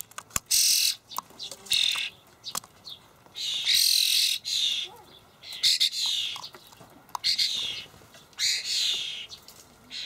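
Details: Juvenile common starlings in a Hamburg allotment garden, begging as adults deliver dried buffalo worms; loud rasping screams in long bursts separated by short gaps, some carrying wavering whistled tones, with faint clicks between.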